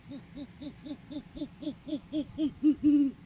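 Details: Great horned owls filmed by live cam on 7 January 2023, during courting season, as the male arrives with food for the female. Rapid string of arched notes growing louder, closing with a longer held note.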